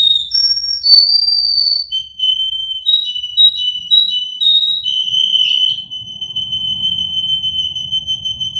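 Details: Russian canary song, from a Miami, Florida breeder: gliding whistles and short warbled notes leading into one long, steady held tone, with low rumbling background noise toward the end.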